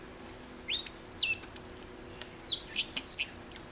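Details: Blue-headed rock thrush giving a few sparse, high whistled notes, some curling up and down, spaced out over a few seconds against a faint background hiss.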